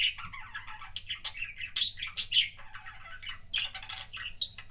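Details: Pet budgerigar giving kissing sounds: close, loud squeaky chirps, smacks and short squeals in a lively rapid stream, with a low background hum.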